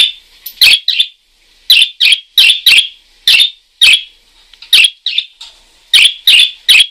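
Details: Chatty parakeet producing bright, harsh chirps in quick pairs and triplets, separated by short gaps.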